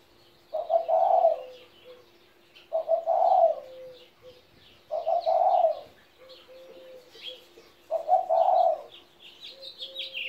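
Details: A 17-year-old spotted dove kept as a pet gives low, hoarse cooing phrases, each with a short trailing note, repeated about every two and a half seconds. High chirps from other birds and a steady low hum sit behind it.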